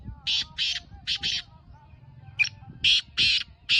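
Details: Black francolin, a kala teetar, calling: harsh, buzzy bursts in two rhythmic groups, each a quick run of three or four rasping notes separated by short pauses, over low background rumble.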